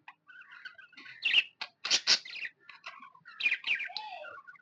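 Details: Budgie chirping happily: soft warbles build into loud harsh chattering bursts, ending with a descending whistled note and quiet twitters.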